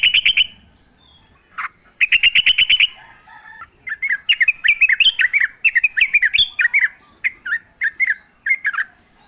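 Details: Wild sooty-headed bulbul, recorded to prompt caged birds to answer: opens with two fast, buzzy rattling bursts, then a long sequence of quick bouncing slurred chirps repeated at a steady lively pace.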